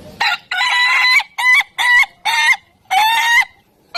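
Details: Ayam Ketawa rooster, the Indonesian laughing chicken, giving its crow as a chain of six loud, nasal, harmonic bursts. The bursts are separated by brief gaps, each held level and ending with a slight upward lift, like choppy laughter.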